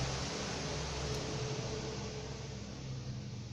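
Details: Broadband fan-like hiss and low hum throughout, with no animal calls.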